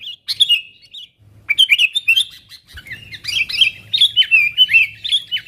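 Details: Chatty sooty-headed bulbul calling wild companions, a lure for bringing wild bulbuls near: a brief chirp, a pause, then a lively run of bubbly, bouncing notes with clicky accents over a faint low hum.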